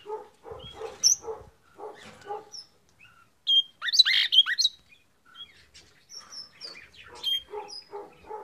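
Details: Red-rumped parrot song meant to encourage a pair to mate: loud high whistled and chirping notes in the middle, among lower repeated buzzy notes from other cage birds at the start and end.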